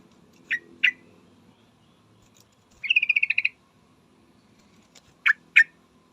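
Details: Calling to a male, a female yellow-vented bulbul gives two sharp, abrupt notes, then a fast chattered run of about ten notes, then two more sharp notes, against faint low background hum.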